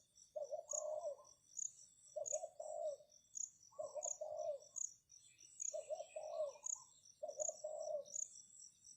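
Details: Spotted dove decoy cooing to lure wild doves: five low, hollow multi-note coo phrases at an even pace, with constant pulsing high-pitched insect chirps and light background hiss.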